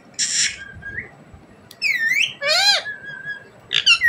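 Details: Rose-ringed parakeet (desi parrot) talking: a hissy breathy burst, a soft whistle, a rising nasal call, a loud harsh squawk with many harmonics, then squeaky chatter at the end.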